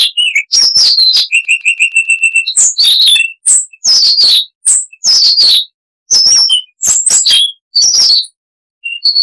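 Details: Siberian rubythroat song with reduced noise, a chattering of many varied sounds: sharp high chirps and trills, a rapid run of evenly repeated notes near the start, bursts separated by short pauses.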